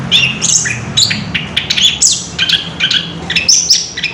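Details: Orange-headed thrush singing in the ngerol style: a fast, unbroken run of high whistled notes and sharp chips, sliding up and down with scarcely a pause over four seconds.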